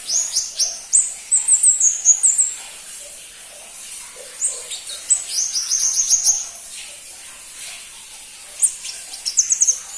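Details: Crimson-breasted flowerpecker (pentis pelangi) delivering rapid runs of needle-thin, very high ticks and flicked whistles, fast bursts separated by short pauses, with quiet background.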